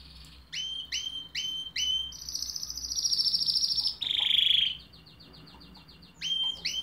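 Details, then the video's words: Canary singing: repeated sharp chirps, then a long buzzy high trill, a lower rolling trill, a thin fast trill and more repeated chirps to close. "chant de canari magnifique تغريد طائر كناري رائع"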